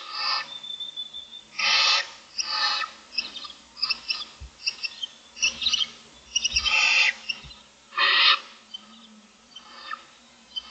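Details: Six barn owl owlets about 25 days into nesting, looking for food in a nest box in the morning, give harsh rasping hisses under a second long in irregular bursts, with quieter hisses between.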